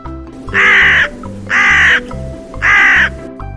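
A crow gives three harsh, hoarse caws, each about half a second long and roughly a second apart, over soft background music.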